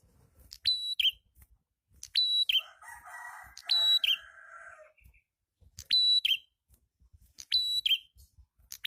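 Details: Red-headed prinia song played as a lure to attract other prinias: piercing high whistled phrases, each ending in a short slurred drop, repeated in bursts, with a scratchy, noisy chatter in the middle of the recording.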